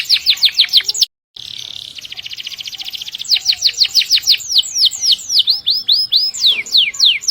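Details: Canary singing a long-roll 'gacor roll panjang' song meant for training canaries and other birds. Quick descending whistles, a brief gap, a long rapid trilled roll, then spaced swooping slurred notes.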